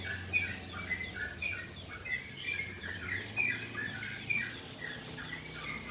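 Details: Caged yellow-vented bulbul (trucukan) calming after a rain-bath: a run of quick liquid chirps and short warbled notes, several per second, with a constant background hiss like falling water.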